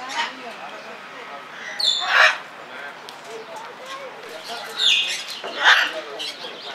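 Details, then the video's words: Blue-and-yellow macaw filmed at Belgrade Zoo, Serbia, in February 2022: loud, harsh, broadband squawks burst out around two, five and nearly six seconds, with people's voices murmuring in the background between calls. "Papagaj plavo-žuta ara│Blue-and-yellow Macaw│Ara ararauna"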